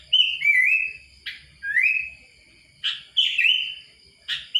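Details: Sooty-headed Bulbul (Kutilang) voicing short rising whistles, each phrase about a second long with gaps between. Occasional harsh clicks mark the start of phrases.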